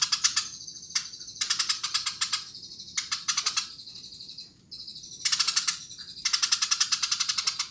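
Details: Eurasian tree sparrow singing lively: bursts of rapid, harsh chirps in quick series, broken by short pauses and a thin sustained high buzzy note.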